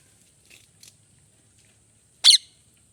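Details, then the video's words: A parrot gives one loud, harsh, scratchy chirp after two faint short squeaks, over a steady high hiss. "Parrot Chirping Sounds"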